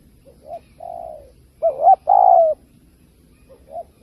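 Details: Spotted dove kích bổi coos for speaker trapping: soft distant coos, then a loud bubbling double coo and a long falling coo, and faint coos again after, over light low rumble.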